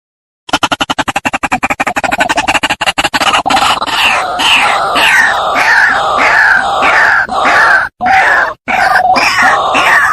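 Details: White-breasted waterhen lure recording used for trapping. A fast burst of dry clicks gives way to loud, harsh, croaking notes that repeat in a dense, almost continuous chorus, broken by two short silences.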